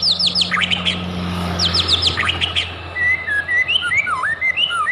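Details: White-rumped shama song used as a lure to provoke singing: quick sharp downslurred whistles in clusters, then softer liquid warbled phrases, above a low steady hum.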